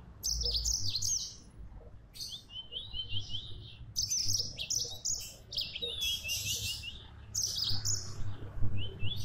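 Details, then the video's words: A yellow-fronted canary (Mozambique) sings a rapid, continuous run of high, bright twitters and warbled trills, with a low background hum. "Burung Mozambik Gacor"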